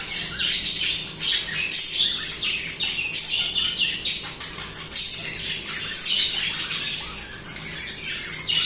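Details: Budgerigars singing without pause, a dense, busy stream of high, scratchy chirps and warbles with overlapping squeaky notes and no real breaks.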